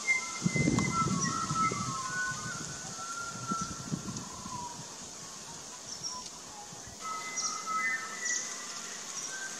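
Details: Pied butcherbird in an Australian backyard garden giving pure, fluty whistled notes, some long and level, others gliding, over a steady high insect hiss and a few low thumps early on.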